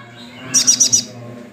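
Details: A tame, brown-chested sunbird in full voice utters a rapid burst of four thin, piercing high chirps, bright and evenly spaced, with a soft low background hum.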